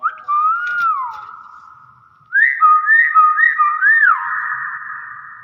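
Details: Common hill myna in full voice: a clear whistle rising then falling, a short pause, then a run of loud warbling, wavering whistles with rapid pitch bends, indoors and without background noise.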